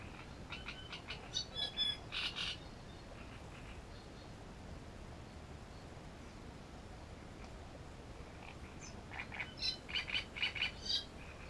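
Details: Great reed warbler song recorded at Grachevka: rapid runs of harsh, rattling, croaky notes at the start and again near the end, separated by a quiet stretch of faint background hiss.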